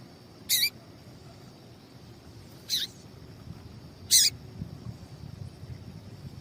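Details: Female papa-capim (seedeater) call, used to stir males into singing: three brief, sharp, high chips at irregular gaps of about two seconds over a quiet low hum.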